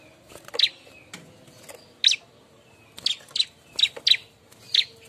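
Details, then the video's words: Bar-winged prinia calling while looking for a mate: short, sharp, high chirps in irregular pairs and singles, with quiet gaps between them and a faint steady hum underneath. "suara burung ciblek ribut nyari kawan"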